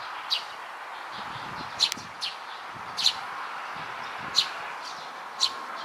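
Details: A sleepy young Eurasian tree sparrow calls in June 2022: about six sharp, high, clipped chirps spaced one to one and a half seconds apart, against constant rushing background noise.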